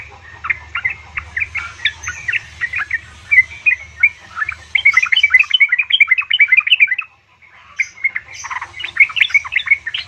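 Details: Yellow-vented bulbul female summoning a male, played to make caged birds respond: quick repeated chattering notes about two to three per second, building into a dense bubbling stretch before a pause and renewed chatter; low hum underneath.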